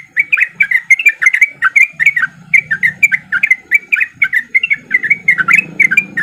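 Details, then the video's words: Breeding-condition male Sooty-headed bulbul giving fast ropel-style song as a lure for other bulbuls to answer; a long unbroken stream of chirpy, warbling notes, with a low droning hum rising toward the end. "Pancingan Trucuk Gacor Biar Trucuk yang Malas Bunyi jadi Ikutan Bunyi"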